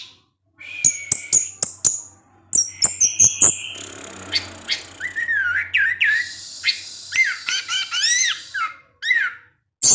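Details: Kept orange-headed thrush singing ngecip ngecis teler: a stretched whistle and rapid clicks open, followed by a dense run of high chips and many quick looping upslurred whistles repeated in succession.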